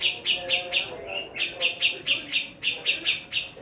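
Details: Javan female black-throated laughingthrush repeating short piercing chip notes in quick bursts of three or four, separated by brief gaps, with soft low background sounds underneath.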